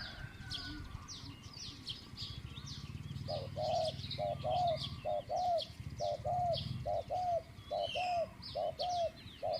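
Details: Middle-pitched 'kuk' cooing from a captive spotted dove used as a decoy in dove trapping. A steady run of evenly spaced coos, about one every half second, begins after a low hum ends. Small birds chirp continuously in the background.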